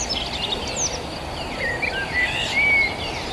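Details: Village countryside birds: scattered high chirps, then a few clear whistled notes, one long level whistle near the end, with soft distant twittering and a steady noisy background hiss.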